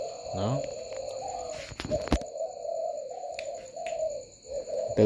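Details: Late at night on a dove farm with the lights on, many spotted doves coo at once, their low soft notes blending into a droning hum like a beehive, with a few sharp knocks and clicks.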